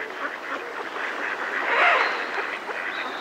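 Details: Close-up alarm calls from a flock of mallards in a decoy: a dense stream of overlapping raspy quacks swelling briefly near the middle, with a coot close by and a distant robin.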